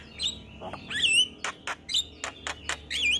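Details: Male Javan myna singing in the morning, a full isian song: scattered clear whistled notes with wavering up-and-down slurs, broken by short harsh broadband bursts about every half second.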